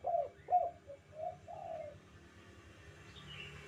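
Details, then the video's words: Spotted dove used as a master call for trained doves: a short series of low hooting coos ending in a longer drawn note, followed by quiet background hum and a faint high chirp. "suara panggilan tekukur kuk 2 gacor"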